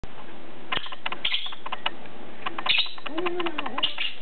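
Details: Two playing lovebirds, both PBFD positive: brief shrill chirps burst out three times amid a dense run of sharp clicking and tapping sounds, with a low drawn-out tone near the end.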